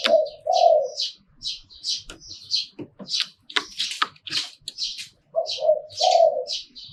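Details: Two brief bursts of deep spotted dove coos, หลิ่วตัน style, at start and end, with many small birds chirping in between.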